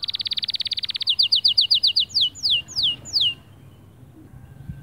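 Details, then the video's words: Motivational song of a white male canary for other birds: a fast buzzy roll, then a quicker series of clipped notes slowing into four long, downward-sweeping whistles before falling silent. "أفضل 8 دقائق تحفيزية ذكر كناري خرافي"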